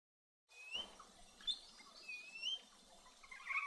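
Superb parrot giving short, rising, whistled chirps about a second apart, ending in a burst of warbling chatter over a busy hiss of background birdlife.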